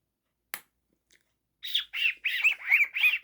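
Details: A young pet cockatiel making funny noises: a single sharp click, near-silence, then six rapid harsh squawks in quick succession, each a buzzy mid-to-high burst, growing louder toward the end.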